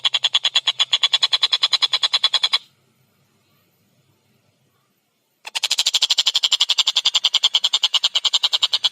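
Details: Collared kingfisher, known locally as tengkek buto, giving a fast, harsh, evenly pulsed chattering series of about three notes a second, stopping for nearly three seconds, then resuming louder and denser.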